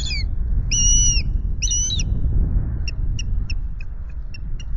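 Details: Osprey on a Loch Garten nest camera, 26 May. Three drawn-out, ringing whistled notes with a bent shape are followed by a scattered series of short, thin pips, all over steady low wind-like rumble.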